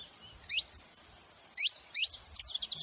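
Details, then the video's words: Several saffron finches calling together: scattered high, sharp chirps and quick downward-sliding notes in a few loose bursts, with short quiet gaps between them. "Canário da terra junto fazendo barulho"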